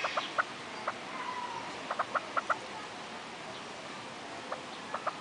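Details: Female Himalayan monal at Artis zoo, Amsterdam, gives short, sharp clucking notes, about a dozen in irregular clusters over five seconds, over a soft steady hiss.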